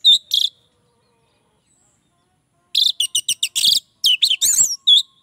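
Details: Orange-headed thrush song said to draw in others of its kind: two short chattering notes, a pause, then a fast run of varied, squeaky and warbled phrases.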